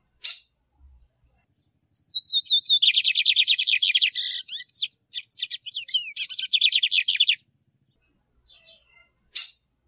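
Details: Male lined seedeater song, played to stimulate and train birds: a few thin whistled notes slide down into a fast, buzzy, high trill of rapid repeated notes lasting about five seconds, then scattered sharp chips.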